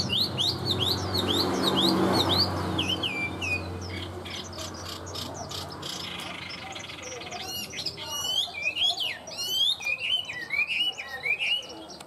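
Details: Tame captive Chinese hwamei song: rapid upslurred whistles at first, a quieter patch, then a renewed burst of varied looping, warbled phrases, with a low background rumble.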